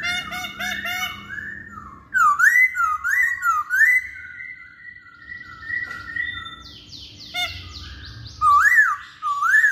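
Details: Masked laughingthrush song used as a lure to make males answer. Rich whistled phrases rise and fall in looping waves, with quick stuttered notes at the start and loud rising whistles at the end.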